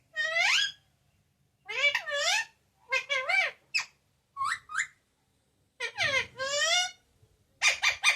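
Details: Loud talking parrot kept as a pet, repeating papa and mummy; rich, harmonic, voice-like phrases with sliding pitch, separated by brief pauses, ending in three quick sharp notes.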